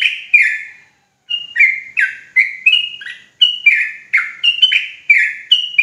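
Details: Sooty-headed bulbul of the Javanese trucuk type in rapid 'ropel' song: loud, clear whistled phrases of short slurred notes, many dropping in pitch, delivered in quick bursts with one brief pause; no other sounds.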